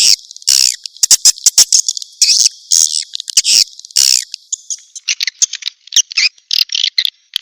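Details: Swiftlet response call in the style known as SP Cina: bursts of sharp, buzzy high chirps with rapid clicks, at first loud and spaced, then softer, quicker twittering in the last seconds.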